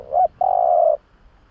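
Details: A spotted dove's lure call for drawing in other doves: one short bent coo followed by a long, level, slightly vibrating coo lasting about half a second, then silence.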